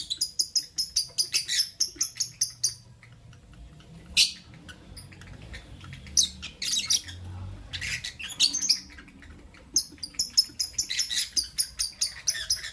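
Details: Morning chirping of caged lovebirds, albino and Euwing green opaline: fast rhythmic series of shrill high chirps, then scattered harsh squawky notes, then another rapid run of chirps.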